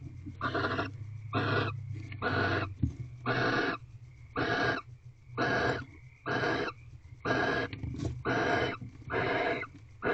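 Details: At night in an owl box in a corral, mating barn owls give steady hissing screeches, roughly one per second, about ten in a row, with a low hum underneath.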